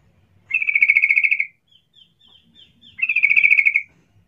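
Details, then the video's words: Yellow-vented bulbul lure call, used to make other bulbuls respond quickly: two rapid, buzzy chattering bursts about a second long each, separated by a pause with faint high ticking notes in between. "Cuk cuk suara panggilan trucukan gacor ini ampuh untuk pancingan trucukan agar Bunyi cepat respon"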